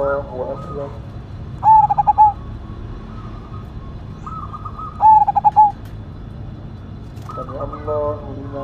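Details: Cemani Majapahit zebra dove with a big voice, cooing: two loud stuttering phrases of quick pulsed notes about three seconds apart, while quieter doves coo in the background.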